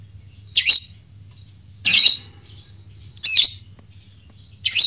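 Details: Fighter lovebird recorded as a stimulus to provoke arousal and ngekek chattering in other lovebirds: four loud, rasping, high squawks spaced about every 1.3 seconds, over a faint low hum.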